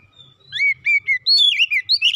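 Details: Household magpie-robin delivering a quick phrase of fluty, level whistles. These lead into higher, swirling notes that rise and fall, with faint low thumps behind.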